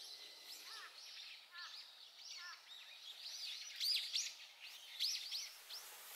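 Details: White-backed Woodpeckers, in the morning in late summer, excavating a nest in an apricot tree on a school campus: a dense, continuous chatter of high, arched twittering notes, several voices overlapping, with a few louder sharp notes near the end.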